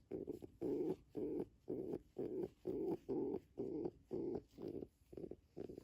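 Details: Pigeon giving a steady run of low, rolling coos, roughly two every second, about eleven evenly spaced notes separated by brief pauses.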